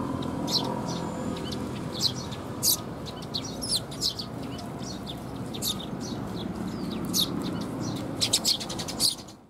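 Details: Fledgling Eurasian tree sparrows being fed by parents, 6 May 2021. Dense, high, scratchy chirps in rapid irregular clusters, with a burst near the end before the sound cuts off.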